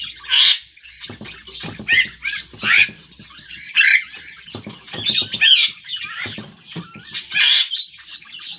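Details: Javan myna (jalak kerbau), a jet-black, yellow-billed insect- and fruit-eating bird, in practice singing: loud harsh squawks and raspy chatter mixed with short whistled, bending notes, delivered in bursts roughly every second with brief quieter gaps between.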